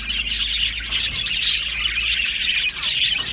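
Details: Australian budgerigars in an aviary colony, a dense chorus of high chattering chirps and squeaky warbles overlapping continuously, with no pauses.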